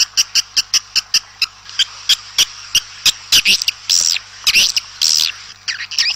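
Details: Swiftlets heard outdoors, calling the flock. A run of short, sharp ticking clicks, roughly two per second, gives way to rasping, rising and falling twitters. A faint low hum runs underneath.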